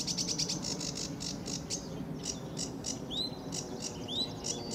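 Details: Early morning at RSPB Fowlmere in July 2013, a lively sedge warbler sings: an opening burst of fast high chatter, spaced scratchy notes, then two rising whistled slurs amid continued high chirps.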